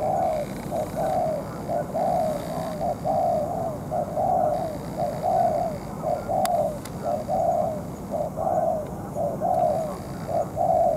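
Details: Spotted dove used as a ground decoy in trapping, still moulting, taken out at night against a tough wild bird: short low coo notes repeated about once a second, steady and evenly spaced, over a constant hissing background.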